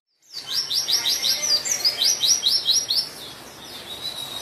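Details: Energetic white-eye song meant to lure and stir quiet white-eyes into singing: a fast series of bright, high, down-slurred chirps repeated roughly twice a second, easing into a thinner, softer twitter toward the end.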